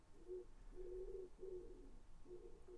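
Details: Pigeon cooing outdoors, heard in the background from inside a room: four soft, low, hooting coos, each drawn out and slightly wavering, spread over about three seconds, over a faint low hum.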